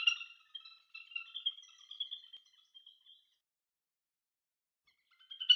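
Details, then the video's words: Little grebe giving a high, ringing, trilled series of notes for about three seconds, fading out, then starting again after a pause. "Little Grebe Bird Call"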